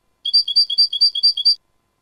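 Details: European goldfinch in 'limpio' (clean) song style, 2019 recording: a quick, regular series of about eight bright, ringing double notes, high and metallic, then silence.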